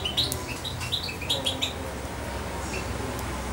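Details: Hand-fed European goldfinch nearly two months old repeats crisp, high chirps about every quarter second for under two seconds, then falls quiet apart from one faint note, over a low hum.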